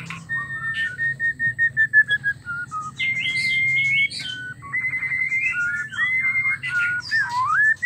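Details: Murai batu, the white-rumped shama, used to stimulate a male to sing: a varied whistled phrase of clear sustained tones, shifting pitch with upward slides and rapid warbled figures, over a low background hum.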